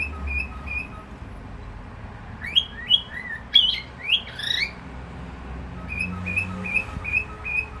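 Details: Cockatiel singing a lively run of whistled, bending notes in the middle. Soft, evenly spaced short whistles come before and after it over low background rumble.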